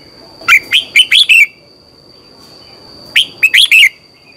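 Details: Morning training song of a red-whiskered bulbul: two bright phrases of about five rapid chirped whistles each, bouncing between high and mid pitch, separated by a two-second pause.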